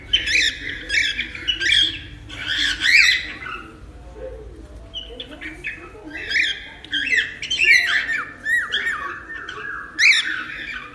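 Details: Cockatiel squawking for cockatiel taming: bursts of rough, rising-and-falling squawks in uneven clusters, a quieter stretch in the middle, then further scattered sharp calls, with a faint low murmur underneath.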